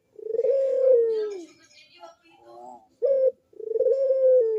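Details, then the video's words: Barbary dove (puter) cooing vigorously, offered as a lure for doves that will not call. A long, throaty coo falls away, quieter murmurs follow, then a clipped 'kuk' and another sustained coo. "KUK DERUK BURUNG PUTER GACOR MANGGUNG"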